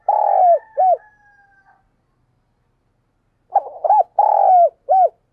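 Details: Decoy spotted dove calling vigorously to entice wild birds: a long low coo with a short looping note after it, a faint trailing tone, a pause, then a bouncing, looping coo sequence.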